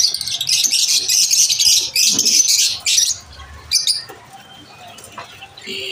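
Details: At lunch time, lovebirds give a continuous run of shrill, buzzy chirps for about three seconds, then the noise drops away to scattered faint calls.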